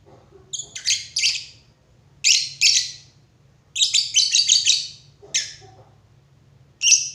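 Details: Harsh, high lovebird chirps in irregular bursts, with a rapid chattering sequence midway and a few softer, lower sounds in the background.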